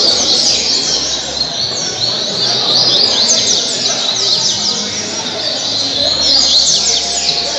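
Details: Coleiro, a double-collared seedeater, performing caribe-style song in Angra dos Reis, Brazil. Dense run of sharp, high chirps and quick slurred whistles, roughly three notes per second, backed by constant background hiss.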